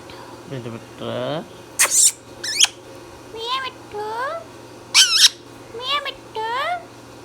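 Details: Pet Indian ringneck parrot talking indoors: a string of short, nasal, voice-like syllables with bending harmonics, broken by several sharp scratchy squawks, over a constant low hum.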